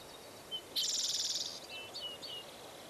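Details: Bald eagle recorded at Fraser Point on 04-10-2019, with eaglets having fallen from the nest: one loud half-second high chittering rattle followed by several short thin piping notes, steady hiss behind.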